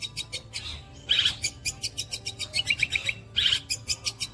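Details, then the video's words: Long-tailed shrike in mimicking song imitating the kuntilanak bird, gereja petir and walang kecek: a fast, evenly pulsed dry rattle, several beats per second, broken by clusters of high squeaky chirps. "TEMBAKAN KUNTILANAK GREJA PETIR DAN WALANG KECEK"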